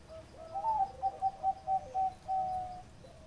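A zebra dove gives a soft, mellow cooing song: a rising note, then a quick run of five short coos and a longer drawn-out final coo.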